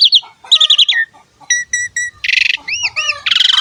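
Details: Song of an Asian pied starling, played to coax young birds into singing: quick stuttered whistled notes, repeated clipped two-tone chirps, dense buzzy rattles and paired arching whistles, closing with a harsh buzzing burst.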